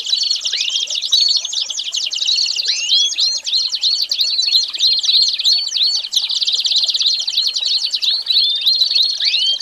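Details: Song of an American Singer canary: fast rolling high trills laced with sweeping upslurred whistles that rise sharply, the phrases changing every second or two in a continuous, lively stream.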